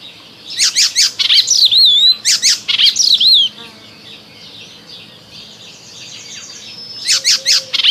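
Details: An Icterine warbler sings its spring song, a fast, varied jumble of high chattering notes, sliding whistles and harsh buzzy phrases in two bursts separated by a quiet pause.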